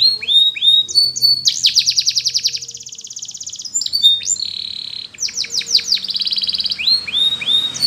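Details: Canary song made for training other canaries: fast repeated trill phrases, rising whistled slurs and a dense rattling tour, with pitch shifting between phrases and a soft low background hum.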